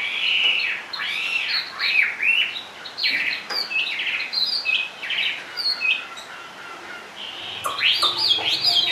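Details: Chinese hwamei in a cage, singing low on the perch, delivers arched whistled notes and rippling trills in uneven bursts, with brief pauses and a few faint clicks.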